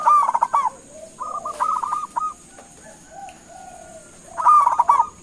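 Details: Zebra dove (local perkutut) calling for an answer: a rolling coo burst opens, clipped coo notes follow in a short run, soft low coos fill the gap, and another bubbling burst closes, with a high steady hiss.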